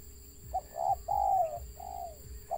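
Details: Wild spotted dove with a stutter: a brief hiccuping note, then two longer smooth coos gliding downward and a final short clipped note, set against a low constant hum.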